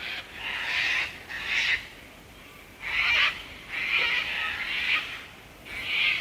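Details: Sulphur-crested cockatoos calling: a series of harsh, raspy screeches, each about half a second long, given in bursts roughly every second, with quiet gaps between.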